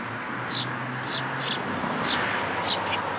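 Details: High, clipped chirps from Eurasian tree sparrows at a plum-tree feeding spot at a Tenmangu shrine, 22 May 2022, about five notes at irregular intervals over faint low rumble.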